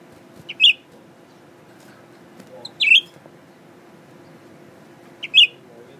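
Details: Caged Blue-winged Leafbird, newly kept, tame with people, singing while looking at its mirror image; three short bright chirped notes spaced about two to three seconds apart over a low steady background hum.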